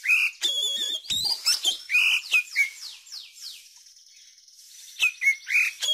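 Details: Oriental magpie-robin song played to encourage young birds to sing: dense whistled phrases and slurred notes at first, then a run of thin descending sweeps, a quieter pause, and fresh whistles at the end.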